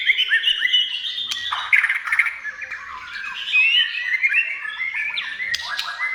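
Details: Song of a white-rumped shama, played to make shamas sing: dense, varied warbling with whistled slurs and harsh squawky notes, fast and unbroken.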